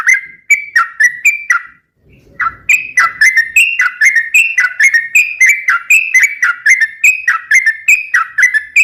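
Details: Sooty-headed bulbul in lively full song, used as a lure and for training other birds: clear whistled two-note phrases, dipping then rising, repeated about twice a second, with a brief gap and faint low rumble near the start.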